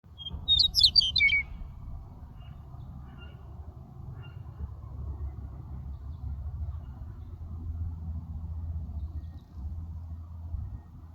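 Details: A meadowlark in Aurora, Colorado, gives one quick, bright phrase of flute-like notes that tumble downward, over a steady low rumble of wind or distant traffic.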